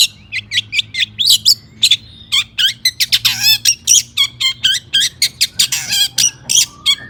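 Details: A long-tailed shrike in agitated song to provoke rival shrikes, delivering a dense stream of short sharp notes and chips, punctuated by a buzzy downslurred phrase near the middle.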